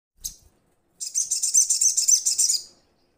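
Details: Little spiderhunter calling to its companions in a rapid run of about twenty high, sharp chips, evenly spaced over under two seconds. A brief low thump comes just before.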